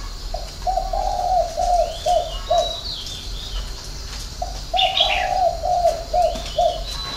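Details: Spotted dove giving a six-note coo in the 'hậu 3' style: two low, hollow phrases of about six repeated notes, the second starting near four seconds, with thin chirps of small birds above.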